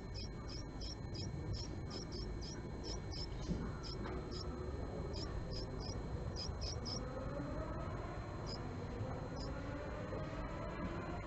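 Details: Japanese tit at a nest box where a female visits the male, morning of March 20, 2022: long run of quick high ticking notes for seven seconds, then sparser single notes, over low background noise.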